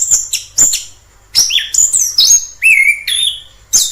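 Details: Orange-headed thrush in the wild giving loud clear whistles, some held steady and high, others rising or falling, mixed with short sharp clicks and varied phrases.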